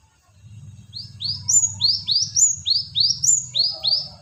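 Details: Lure call of the cinereous tit (gelatik batu): about eleven sharp, upslurred whistled notes, evenly repeated roughly four per second. A steady low humming drone runs underneath throughout.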